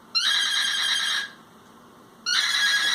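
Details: A pet cockatiel making a funny noise gives two loud, harsh, steady-pitched calls, each about a second long, separated by a second of quiet.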